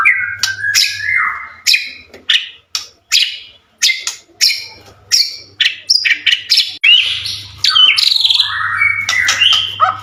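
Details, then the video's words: Lure recording of a persistently singing white-rumped shama meant to make other shamas answer at once: sharp, spaced whip-like notes, then quicker rich whistles and rising slurs, with a faint low hum beneath. "Suara murai batu gacor AMPUH buat pancingan murai batu agar emosi LANGSUNG NYAUT"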